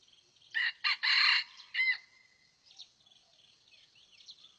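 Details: Crowing red junglefowl at a trapping site where a decoy rooster lures wild birds in. A rasping crow of short choppy bursts swells into a longer note and ends in a clipped syllable, then soft distant birdsong follows.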